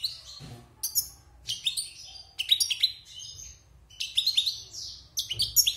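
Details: European goldfinch, a wild bird kept caged six months after its moult, sings loud jangling phrases of rapid chirps and rising twitters, each burst separated by short gaps.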